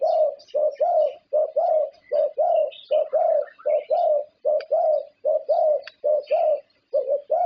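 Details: Champion zebra dove from Thailand, a winner of many prestigious contests, sings a steady series of low, mellow coos, each a short rounded note about once a second, often in close pairs, with faint chirping of other small birds behind.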